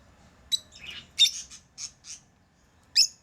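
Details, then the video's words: Pet lovebirds chirping: a quick run of short, sharp, high squeaky notes with varied pitch, ending after a short pause in one loud, bright chirp. "Love birds Sounds | lovebirds chirping sounds| parrot beautiful sounds"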